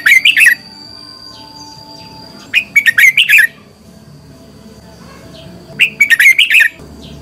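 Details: Red-whiskered bulbul serving as a decoy, giving a fighting song to make other birds sing: three short, rapid clusters of bright, warbling whistles, roughly every three seconds, with quiet low background hiss between.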